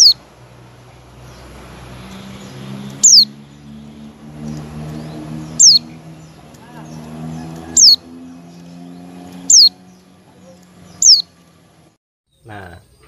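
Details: A pet white-eye (pleci) gives its call, a simple attention note: six thin, high squeaks, each dropping sharply in pitch, spaced about two seconds apart, over a low murmuring human voice.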